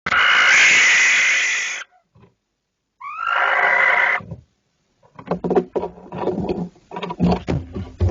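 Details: Barn owl calling outside the nest box while another barn owl enters the box: two long, harsh, hissing screeches, the second rising at its start, then a burst of clattering, scraping and knocking sounds.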